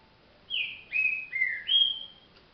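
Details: Green-winged saltator, a trinca-ferro said to sing up to thirty songs though still slow, delivering four linked whistled notes that step down then rise to a long clear final whistle, loud over a quiet background.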